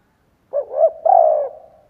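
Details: Single coo phrase from a decoy spotted dove calling to draw in wild doves: two short rising notes and a longer sustained falling coo that trails off.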